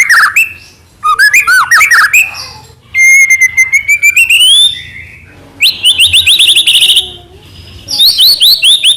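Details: White-rumped shama in full song, used to stir other shamas into singing: slurred whistles, a long rising whistled trill, buzzy rattling phrases and bright repeated notes separated by short gaps, faint low hum beneath.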